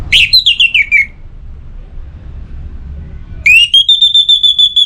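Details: Orange-headed thrush in breeding condition, caged in north Bali, calling a rival: a descending stuttered phrase, a silent gap, then a rising note into a long steady high trill of pulsed notes, with a faint low hum.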